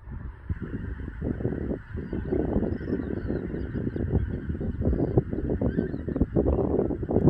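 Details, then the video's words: Wintering flock of geese in Dobrogea, southeastern Romania, in February 2022, recorded on a smartphone: a dense chorus of overlapping nasal honks from many birds, with strong low rumble, likely wind or handling noise, underneath. "Wintering geese in Dobrogea"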